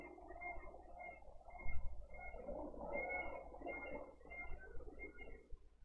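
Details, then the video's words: Bald eagle chick begging for food at a nest in Dade County, filmed by a nest camera on 20 April 2023: thin, high peeping notes repeated steadily over about six seconds, faint above a low rumbling background. "CHICK ASKS FOR FOOD"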